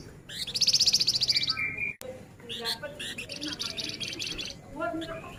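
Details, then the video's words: Male flamboyan singing rapidly in 'nyerecet rapat' style: a fast, even high trill lasting about a second, then a brief break and more clustered buzzy chatter with short whistled slurs. "Suara Alami Flamboyan Jantan Gacor Nyerecet Rapat"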